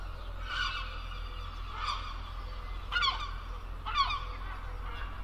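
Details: Herring gull calling: four loud, harsh, downward-slurred cries about a second apart, rising in strength toward the end, over a constant low rumble of background noise.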